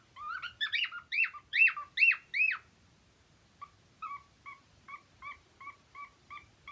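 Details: Loud swooping whistles from a happy singing cockatiel give way to a series of soft, short chirps repeated roughly twice a second.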